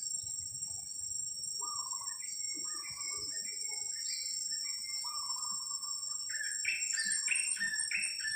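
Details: Two-week-old young blue-crowned hanging parrot, kept for luring, giving a long run of short squeaky kiak notes that step between low and higher pitches. A steady high insect whine runs throughout.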